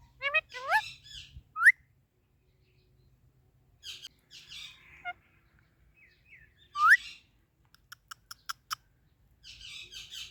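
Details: Talking ringneck parrot chirping: clear upward-sweeping whistles and buzzy chatter, then a quick series of sharp clicks and a final burst of rough chattering notes.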